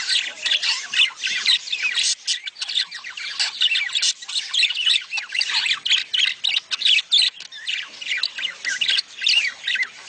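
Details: Several budgerigars producing mating chatter to encourage breeding: loud, unbroken, high buzzy warbling packed with squawks and clicks throughout.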